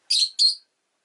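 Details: Two loud, harsh, buzzing chirps in fast succession from a pet rosy-faced lovebird, high and squeaky, with silence afterward.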